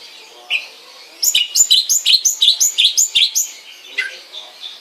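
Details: Long-tailed shrike: a single chirp, then a dense burst of rapid, high, repeated chirping notes lasting about two seconds, ending with one lower call.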